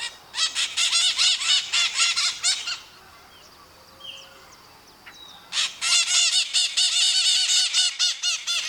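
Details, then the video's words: Flock of maritaca parrots screaming, Brazil: bursts of fast, harsh, screechy calls, a quieter pause of a few seconds with faint distant sounds, then another dense burst of rapid grating cries. "MARITACA CANTANDO, Som de Maritaca Gritando"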